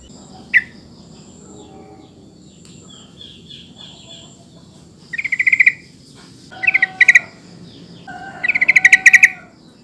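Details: Sooty-headed bulbul calling, used to draw replies from bulbuls that have stopped singing. One sharp note comes first, then three bursts of rapid, bubbly chirps, each about a second long, separated by quiet pauses.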